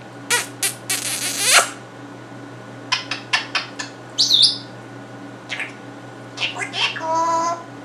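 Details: Male African grey parrot living with gamers, imitating first-person shooter sounds: sharp noisy bursts, a rapid burst series, a squeaky chirp near the middle, and a buzzy rasp at the end, over electrical hum.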